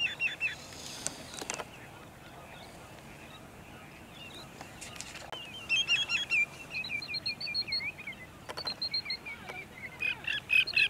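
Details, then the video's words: Sandpipers at sunset in Montezuma, New York, recorded 6 May 2019, with waterfowl nearby: faint whistles early, then from midway a lively run of high, repeated piping notes building toward the end. "Sandpipers Serenade the Sunset"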